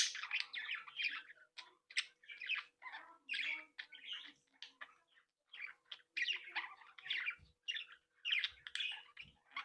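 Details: Australian budgerigars from a captive breeding group interacting and playing, giving a steady stream of warbling, buzzy chatter in short overlapping phrases, with a few soft low thumps.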